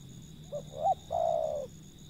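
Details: Wild zebra dove calling: a short soft note, a brief rising-falling note, then a long, low, gently falling coo. A steady high whine runs faintly underneath throughout.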